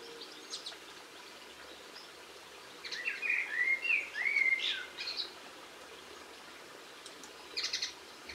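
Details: Linnet heard on 22 March 2016 giving a loud, fluid warble of rolling, slurred notes for about two seconds, followed after a pause by a brief cluster of high, rattling chirps; quiet outdoor hiss throughout.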